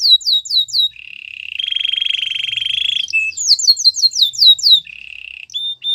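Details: Belgian canary singing: quick descending whistles, a lower steady buzzy roll, a longer pulsing trill, then more rapid down-slurred notes and a final short buzzy phrase.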